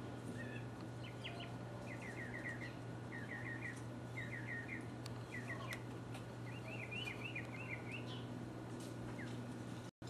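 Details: Mockingbird singing in 2015, repeating a stuttering multi-note phrase several times before switching to a rapid rising-and-falling warbled series, against a steady low hum.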